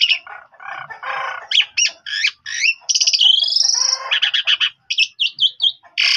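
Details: Asian pied starling song played to make other starlings answer: low harsh churrs give way to clear whistles, a long slurred whistle and rapid buzzy trills.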